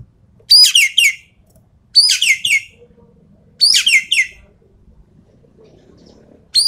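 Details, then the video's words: Rapid-fire 'full tembakan' song of a Javan pied starling, used to test champion songbirds: three rasping, chattering phrases of quick slurred notes, each under a second, with a faint fourth at the close and soft hum between. "BURUNG EKEK KELING SUARA FULL TEMBAKAN"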